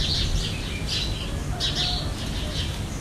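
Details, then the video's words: Scattered harsh squawks of the Jandaya parakeet, a Brazilian parrot, with short gaps between bursts and a dull low-frequency rumble underneath. "JANDAIA VERDADEIRA"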